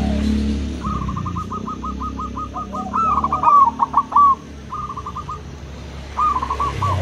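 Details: Local and crossbred zebra doves answering each other: a fast string of even, clipped notes leads into rolling, warbled coo phrases, then later shorter coo bursts, over a low background hum.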